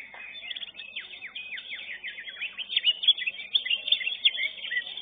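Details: Greater green leafbird singing at a bird contest, where it took first place in class 11: a continuous stream of steeply falling whistled notes and high bright chips, growing louder toward the end.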